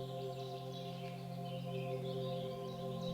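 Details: Sustained electronic organ chords play steadily, with no animal voices heard.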